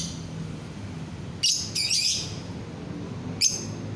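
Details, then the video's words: A lovebird's sound used to get other lovebirds singing: a quick cluster of thin, high twittering notes, then a pause and one more short chirp. "DENGAR SESAAT SAJA, bikin lovebird yang lain ikut bunyi"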